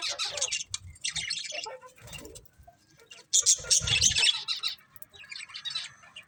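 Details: Budgies chatter in two loud bursts of dense, scratchy, high chirping, with a quieter gap between them and softer twittering at the end.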